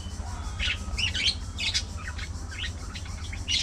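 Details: Budgerigars in a social colony, socializing with a busy run of short, bright chirps and warbling notes, several birds overlapping over a constant low hum.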